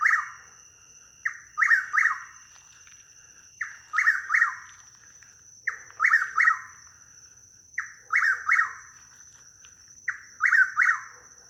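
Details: Chuck-will's-widow at night in woods at Hammock Park, Dunedin, Florida, spooked into flight, which produced slapping and twanging sounds; here it gives rough, slurred notes in quick clusters of three or four, every two to three seconds, over a steady high insect drone.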